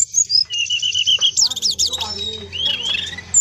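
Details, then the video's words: Brown-chested jungle flycatcher, male, delivering a long rolling song of sustained high whistles, fast buzzy rattles and looping slurred notes, run together without breaks. "KUMPULAN BURUNG SIKATAN RIMBA DADA COKLAT NGEROOLL PANJAAAANG...!!!!"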